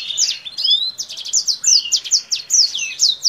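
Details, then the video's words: Kingthroat in full song with wings spread, its voice likened to a Black-throat's: rapid high whistled phrases, sharp down-slurred notes and brief buzzy trills in a dense, continuous run. "KINGTHROAT GACOR Atas Bawah BUKA SAYAP || Mirip Suara BlackThroat"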